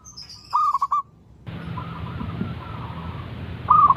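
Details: A zebra dove that keeps calling every morning gives a brief stuttered coo phrase, then after a gap of hissing background noise a faint rolling coo, and another clear phrase starts at the end.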